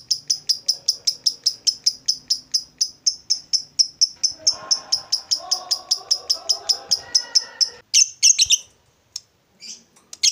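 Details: ['Lovebird calling a long ngekek run of sharp high chirps repeated steadily, then a few louder harsh notes with gaps, with faint lower sounds behind.']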